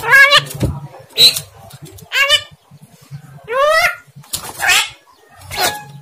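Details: Javan myna kept by its owner, imitating speech, though not clearly: six wavering, nasal, harmonic-rich calls with sliding pitch, some rising and some falling, about one per second, with faint low rumbling in the background.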